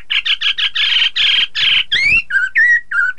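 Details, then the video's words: Chinese hwamei vocalizing, used to spur rival birds to sing: a string of harsh, buzzy chattering bursts followed by several clear slurred whistles. "Terapi poksay hongkong agar lawan ikutan bunyi"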